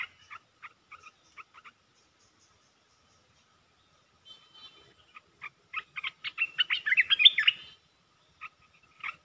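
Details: Red-whiskered bulbul kept as a cage bird in Thailand, giving rapid perd dok ('opening the flower') song: scattered short chirped notes, then a fast, dense burst of warbling, tumbling phrases before dropping back to sparse chirps; quiet background.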